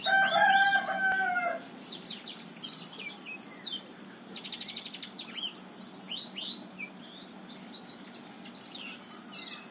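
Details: Black-throated canary from Botswana, song used as a lure to prompt quiet males to sing: a loud rooster-like crow opens, then rapid high twittering phrases with buzzy trills and sweeping whistled notes.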